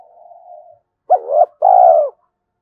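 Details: Spotted dove decoy calling wild doves in to fight: a soft level hum, then a two-note coo, a short rising syllable followed by a longer descending one.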